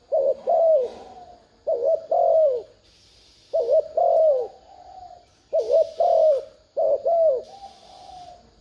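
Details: Spotted dove cooing to lure wild doves: low paired phrases, a short wavering note then a longer falling note, repeated about every two seconds, with a faint high buzzing hiss in the background.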